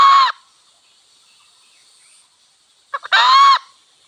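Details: Wild red junglefowl, hen and cock, in a village setting: two short, loud, harsh harmonic calls about three seconds apart, each lasting under half a second, with quiet between them.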